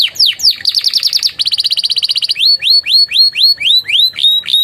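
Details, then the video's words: Loud, close canary singing a master song mixed with Javan tesia and bar-winged prinia phrases: a quick rippling trill, then a string of clear, rising whistled notes, each swept upward and repeated steadily. "SUARA KENARI GACOR ISIAN CIBLEK PRENJAK"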